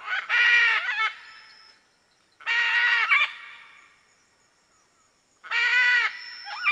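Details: Harsh grating screeches of a red-and-green macaw, three loud raw calls spaced roughly two and a half seconds apart, each ending in a short rough upturn.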